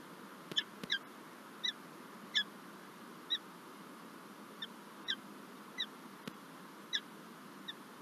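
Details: Nesting peregrine falcons in Lublin, Poland, on 9 March 2024, after the first egg is laid and the male brings a gift; a dozen fainter, evenly spaced scratchy chips, a few sharp knocks, and a steady hum beneath.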